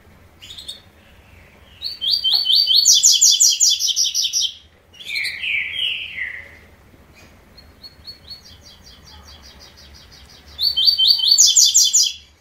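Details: Double-collared seedeater giving a three-note style song: bursts of high, rapid, sparkling trilled notes, a lower slurred whistle in between, then a quieter stretch and another loud high trill at the end.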